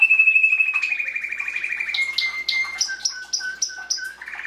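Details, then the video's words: Canary singing a fast, slightly falling trill, then a sequence of paired high and low clipped notes repeated about four times a second. "Canary singing"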